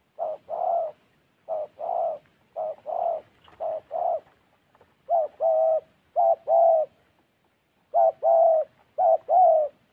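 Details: Spotted dove in Gia Lai, Vietnam, a wild-caught bird used to call in others: low, mellow paired coos, each a short note then a longer one, repeated in clear groups roughly every second in a quiet setting.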